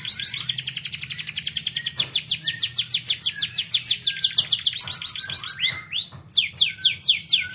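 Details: Canary song as a model for young canaries learning to sing: long run of fast repeated down-slurred notes, a few loud rising sweeps, then quick descending phrases again; low background hum.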